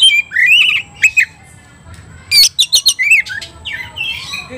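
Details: Oriental magpie-robin (kacer) singing non-stop while provoked and agitated to fight: short bursts of bright rising and falling whistles, sharp clicks and scratchy notes, with brief gaps between phrases.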